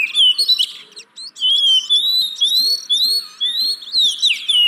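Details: Oriental magpie-robin song played to coax lazy caged birds into singing, a continuous tumble of bright whistled slurs and quick chirps layered over each other, briefly pausing near the one-second mark.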